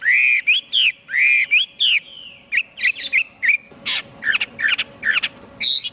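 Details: Chinese hwamei singing: paired rounded whistles repeated several times, then a faster jumble of sharp chirps, harsh rasping notes and upswept whistles in quick succession.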